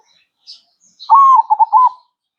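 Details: Singing zebra dove: one clear phrase opening with a sustained coo, then three short bouncing notes, after a faint high chirp beforehand.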